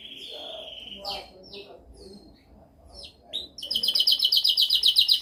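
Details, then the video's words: Canary song for training: a sustained high note, then scattered short chirps and a quiet gap, ending with a loud, rapid, evenly pulsed rolling trill. "Canção mais dominante de canary para treinagem."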